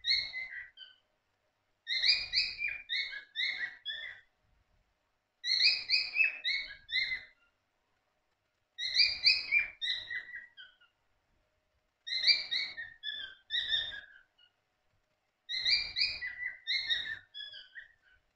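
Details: Pet cockatiels in the morning give bright, chirpy harmonic calls in short bursts every few seconds.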